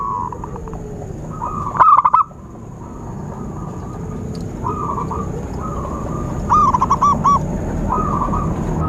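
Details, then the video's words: Zebra dove coos used to lure birds for trapping. A short, loud burst of rapid coos is followed by several softer, rolling coo phrases, then another stuttering series near the end. "Suara Khusus PIKAT burung Perkutut/Merbuk"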